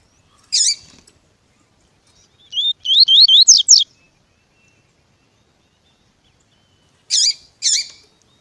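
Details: Double-collared seedeater (coleiro tui-tui, Sporophila caerulescens) giving high, sharp chirps, then a quick run of five rising upslurred notes, then two more paired chirps, otherwise quiet; recording of a male and a calling female, used to warm up captive birds for song tournaments.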